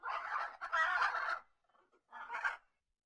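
A macaw gives two rough, raspy bursts of parrot chatter, a long gravelly run followed by a shorter harsh squawk after a brief pause.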